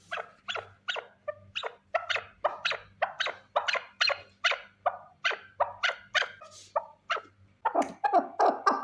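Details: A single male partridge calling in a long series of short, harsh, clucking notes. They repeat steadily about every third of a second, with a faint low hum behind.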